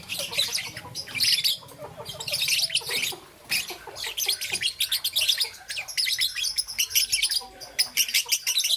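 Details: Morning chirping of a young peach-faced lovebird, green and yellow: long bouts of shrill, scratchy chatter, a short pause near the middle, then quicker clipped chirps.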